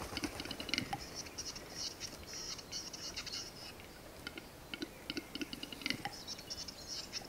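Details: Male Western capercaillie displaying at a morning lek with seven males present gives dry clicks and sharp pops in irregular bursts, with hissing, scraping whetting phrases, over quiet woodland; Mykland, Norway, April 2019.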